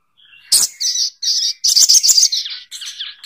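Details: Little spiderhunter calling: a busy run of sharp, high, scratchy chirps in quick bursts of varying length, with short gaps and no other sounds.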